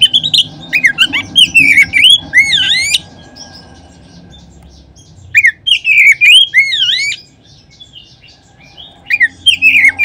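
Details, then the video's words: A lure recording of Oriental magpie-robin song, used to stimulate others of its kind to sing. Bursts of loud, varied whistles with deep swooping V-shaped notes and quick chirps, separated by pauses of a few seconds, with a soft background hum. "Kacer manapun seketika terangsang berbunyi dengan pancingan ini."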